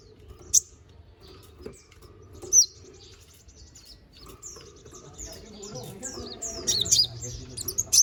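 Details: Konin bird, used to tutor magpie-robins: scattered sharp high chirps, then a busier stretch of thin descending twitters and squeaky notes, with faint lower background chatter.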